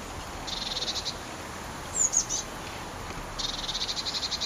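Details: Eurasian blue tit chicks leaving their nest box on a very windy day in May 2011. Two series of rapid, high, buzzy ticking notes, each lasting about a second, with a brief sharp squeak between them over a steady wind hiss.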